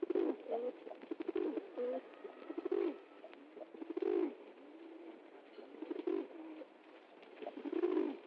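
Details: Pigeons cooing with deep, rolling, throaty notes that swell and fade in irregular bursts, interspersed with clicks and rustling, and a final loud coo at the end.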